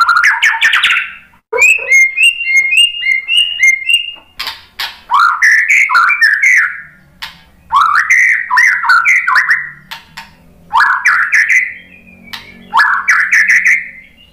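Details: White-rumped shama song to provoke fighting males: bursts of rising, slurred whistles, a steady run of evenly repeated clear piping notes, then several phrases of swooping whistles separated by short pauses.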